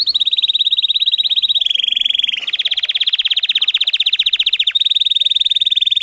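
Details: Russian singing canary delivering a continuous fast rolling trill, mid-high and pulsing, shifting pitch slightly twice without a break.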